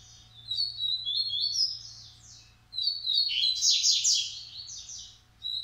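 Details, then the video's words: Coleiro song in Massai and baiano styles from Criatório stock in Maranhão: high chirped phrases repeating, then a loud stretch of rapid buzzy trills and a final short chirp. "Coleiro Massai x Coleiro baiano"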